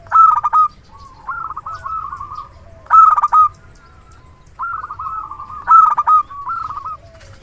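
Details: Big-voiced local zebra dove used for luring, heard in three loud, clipped coo bursts about three seconds apart, each followed by a softer, wavering, rolling run of coos.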